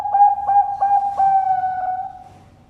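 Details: Captive Bangkok-type zebra dove (perkutut) at a bird farm in Sidoarjo, East Java, Indonesia, giving a full song: about five soft, low cooing notes, each with a quick upward flick, then a long sustained hum that fades out.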